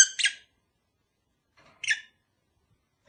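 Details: Pet lovebird calls offered as a sound to help a long-unmated kept pair mate: two short, harsh, high chattering bursts about 1.6 seconds apart, then a third clipped at the end, in quiet surroundings.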